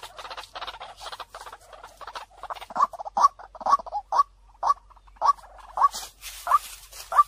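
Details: White-breasted waterhen lure sound: soft, jumbled chattering at first, building into loud, regular 'kwak' croaks about every half second.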